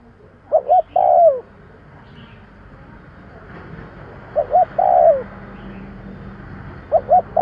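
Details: Spotted dove call used to lure birds: three-part cooing phrases, two short coos then a longer falling one, repeated about every three seconds over faint low background hum.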